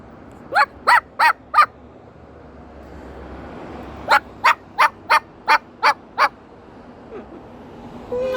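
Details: Pet Moluccan cockatoo outdoors on a walk through the neighbourhood, bokking and barking. Short, clipped, nasal notes come in a quick run of four, then after a pause a run of seven, with faint traffic hum in the background.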